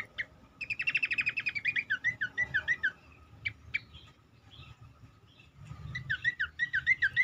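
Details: Black-capped babbler, played as a lure to make other birds of its kind sing: a fast buzzy rattle of repeated notes, then looping warbled whistles, a quieter patch, and more repeated wavering whistles over a low background hum.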